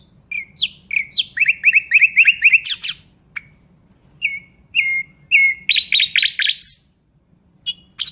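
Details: Nightingale singing: a clear, bright run of repeated whistled notes rattled off in quick series, with a few rising flourishes and short buzzy bursts separated by brief pauses. The song is high and sharp, with a faint low hum underneath.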